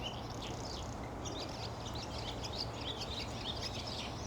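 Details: Barn swallow calling in the wild: soft, high chirping twitters come in quick irregular bursts over a constant low hum and background noise.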